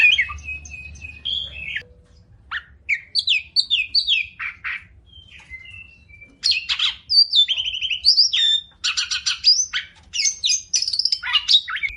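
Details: Caged Oriental magpie-robin (kacer) sings a tutoring song full of tembakan fill: sparse thin whistles and short slurred notes at first, then rapid bursts of sharp chips, buzzes and whistled sweeps.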